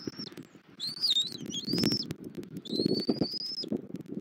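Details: Bald eagle feeding its chick at the nest, Southwest Florida, 21 January 2024, 09:15; loud high squeaky piping notes, wavering and drawn out, in two runs, with thumping and rustling of nest material beneath.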